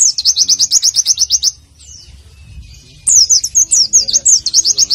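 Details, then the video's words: 'Nembak' tutor song of a warbling white-eye for morning use: two bursts of loud, very quick, evenly repeated high chirps separated by a short near-silent pause. "Masteran Pleci Nembak 2018"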